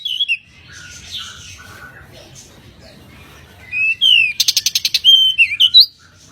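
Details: Pied bushchat, also known as kacer mini, in a tutor recording: scattered high whistled notes, then a rapid buzzy rattle of about ten clicks followed by twisting whistled phrases.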